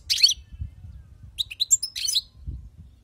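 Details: Wild-caught European goldfinch with a brief twitter, then a rapid run of tinkling, chattering notes over low background rumble.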